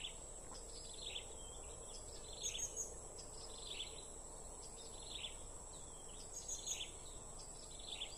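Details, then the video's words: Repeated high, sharp chirps from a blue-crowned hanging parrot during bird trapping, delivered in quick clusters of two or three notes with short pauses, accompanied by a continuous piercing insect drone and faint low background noise. "Edisi Memikat Serindit"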